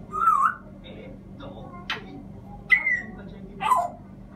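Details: African grey parrot giving a wavering whistled phrase, then a sharp click, a falling whistle and a final descending whistle, loud notes separated by short pauses.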